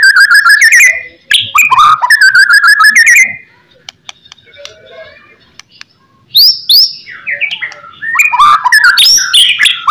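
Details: White-rumped shama singing as master song to make other shamas answer: rapid repeated whistled notes in two bursts, a silent gap, then sharp upslurred whistles and tumbling warbles.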